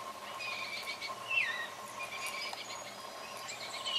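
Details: Fledgling Baltimore orioles crying to be fed by their father up in tall treetops: a short falling slurred whistle stands out amid a soft, continuous stream of repeated thin begging notes, with a steady background hum throughout.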